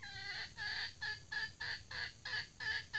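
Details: Decoy red junglefowl hen (pikat betina), a newly trained female: loud, harsh, rich clucks repeated steadily about three times per second through the whole stretch, each note broad and buzzy, with a low background hum.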